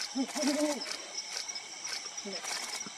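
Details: Brown wood owl of lowland dense forest calling: a short hoot followed by a quick wavering double hoot, then a fainter hoot near the end, with constant high-pitched insect drone and scattered clicking.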